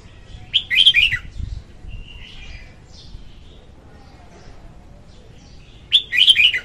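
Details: A female red-whiskered bulbul sings a lure song meant for bird trapping. A rich, liquid phrase of jumbled whistles opens the clip, softer chattering notes follow, and a second bright phrase comes about five seconds later.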